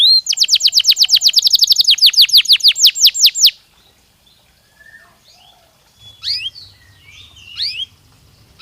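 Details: Canary singing naturally to ready birds for the mating season: a fast, loud trill of repeated descending sweeps for about three seconds, then a pause and scattered thin chirps over a faint low hum.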